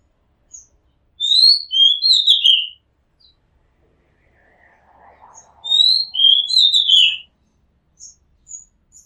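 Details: Oriental magpie-robin singing from around a house rooftop: two rich, high whistled phrases of sweet slurred notes, each over a second long, with soft scratchy notes between and a few faint high chips after.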